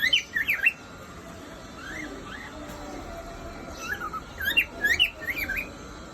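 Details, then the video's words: Male cockatiel whistling: quick bursts of bright, wavering whistled notes rising and falling, a cluster at the start, soft isolated notes midway, then another lively run of chirpy whistles near the end, over a faint steady hum. "Cocktail bird Male whistling"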